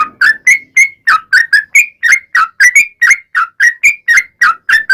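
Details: Sooty-headed bulbul, locally trucukan, singing long and energetically as a lure to prompt replies; quick rhythmic bubbly whistles, about four per second, each note sliding up or down in pitch.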